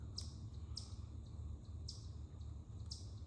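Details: Birds in woodland on 10 October 2025 give short, sharp, high chirps, about one a second and irregular, amid many alarm calls, over a steady low rumble of wind or background noise.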